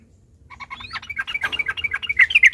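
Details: Sooty-headed bulbul roused to sing by a rival's song: a rising whistle leads into quickening, bubbly, chattering phrases that grow louder toward the end.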